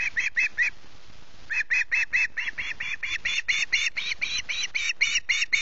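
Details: Hungry osprey chick at a Loch Garten nest, early morning of 14 August, screeching: harsh, buzzy notes repeated about four per second, with a short break after the first few, and faint rustling below.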